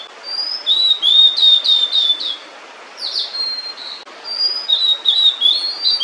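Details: Blue-and-white flycatcher female, food in her bill, lingering near the nest of her chicks while singing: a rapid series of clear whistled notes, then a gap, then further sliding warbled phrases.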